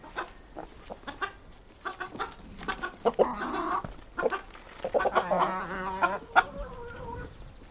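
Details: Chickens eating, with scattered dry pecking clicks throughout, two bursts of rough, harmonic clucking calls in the middle, and a few short, thin, level notes near the end.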